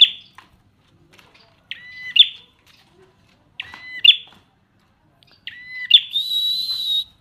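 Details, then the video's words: Prinia singing: a sharp, bright phrase of a double-toned note followed by a snappy peak, repeated about every two seconds, the last ending in a sustained, buzzy high trill. "prenjak semi gacor"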